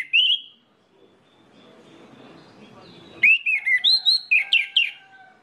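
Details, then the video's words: A short high whistle, a quiet gap, then a lively run of sharp, varied whistled notes in quick succession from an orange-headed thrush, played as a lure song to set other orange-headed thrushes singing. "PANCINGAN ANIS MERAH INI BIKIN GACOR ANIS MERAH LAIN"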